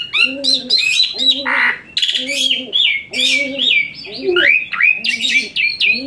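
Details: Asian pied starling giving harsh, high, shrill song meant as a tutor recording for fighter songbirds such as white-rumped shama and magpie-robin; loud raspy squawks and slurred whistles in bursts about every second, over a repeated low droning note.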